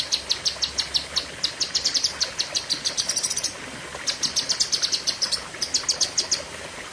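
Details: Cucak kinoi leafbird in sharp 'pedes panjang' song: steady, quick sequences of high, shrill notes with a short gap, then a further burst.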